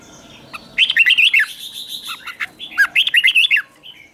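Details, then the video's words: Red-whiskered bulbul giving a lure song to attract wild birds, two bursts of chirpy, rolling whistles with a faint buzzy undertone, separated by a quieter stretch. "Chào mào mồi gọi bổi không tạp âm, tiếng chào mào mồi gọi là đến"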